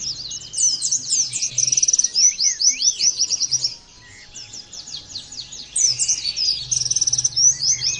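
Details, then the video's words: Oriental white-eye song from training audio meant to make white-eyes sing: bursts of rapid, high twittering chirps and sweeping notes, a quieter pause from about three to five seconds, then renewed chatter. "terapi pleci bikin nembak mudah di tiru langsung ngotot bunyi"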